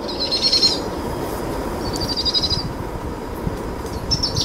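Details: Powerful owl young, two chicks taking possum from their mother after dusk, give three short high trills spaced about two seconds apart, the last brief, against low rumbling background noise.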